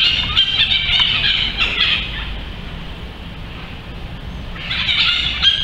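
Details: A juvenile Ferruginous pygmy owl, grounded at dusk after rain during its first flight attempts, gives harsh, raspy screeches in a quick ragged run, a pause, then another burst, over a low background rumble.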